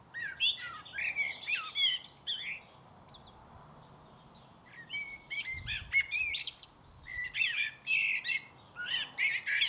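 A Common Blackbird sings mellow, warbling phrases in three bursts, each separated by a brief pause. Some notes rise and end in twittery flourishes. Faint background hiss throughout.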